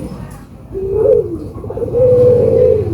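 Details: Albino collared dove cooing to prompt other doves to call: a soft rising-and-falling coo, then a long, steady humming note. A low background rumble is heard throughout.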